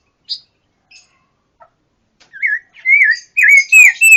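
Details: Pancawarna bird singing loudly for songbird training: a few faint scattered chips, then a building series of squeaky slurred whistles growing louder and denser.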